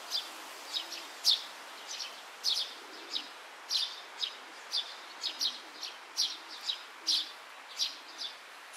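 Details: Young Oriental greenfinch foraging for food among grass, 31 May 2023, midday; a brisk run of high, thin chirps, about two each second and slightly uneven in spacing, against quiet open-air background noise.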